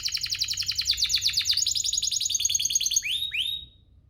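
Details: Domestic canary singing to provoke other canaries into full song: fast, high, buzzy trills of repeated notes rolling through changing phrases, ending in two slurred whistles, then silence.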